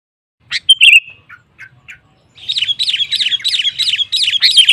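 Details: Sooty-headed bulbul in lively, vigorous song used to provoke rival bulbuls into singing: a few scattered bright whistled notes, a pause, then a rapid run of repeated bubbly, warbling phrases about four per second.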